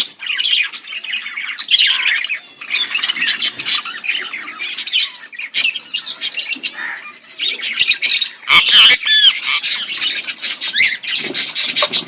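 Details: Budgerigars eating green food in an outdoor aviary chatter nonstop, a dense mix of warbled twitters, chirps and scratchy squawks.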